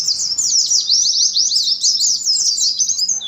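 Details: Continuous, very fast and high twittering song of an Oriental white-eye in the ngalas style, a seamless run of slurred chirps with no pauses.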